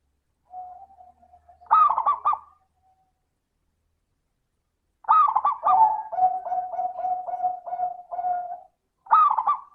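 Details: Local zebra dove singing as a lure for reluctant doves, 'crystal' voice: soft coos lead into a looping phrase, later a long pulsed cooing sequence and a final bouncing phrase.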